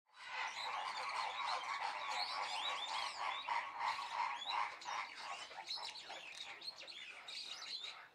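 White-throated magpie-jays chattering nonstop, a dense tangle of squeaky, harsh and whistled notes from several birds overlapping, with no pause throughout.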